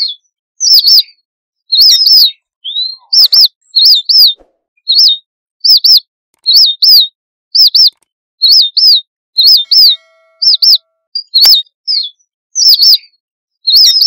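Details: A red avadavat gives its flock-gathering call: thin, high squeaky notes, about one per second, each a quick down-up wobble, repeated steadily with nothing else heard.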